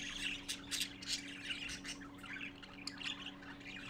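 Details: Gathering parakeet babies, waiting for their father on 12-4-14 late morning, make overlapping scratchy squawks and high chirps, loudest in the first two seconds and thinning afterward, over a low steady hum.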